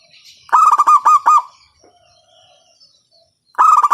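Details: Local loud-voiced zebra dove used to stimulate other doves to sing: a fast rattling phrase of ringing coos, a quiet gap with a soft low hum, then the phrase starting again.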